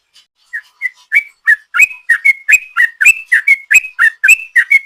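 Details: Long ropel song of a sooty-headed bulbul used as a lure: faint opening notes build into a loud rapid sequence of clear whistled slurs, alternately falling and rising, about three to four per second; quiet surroundings.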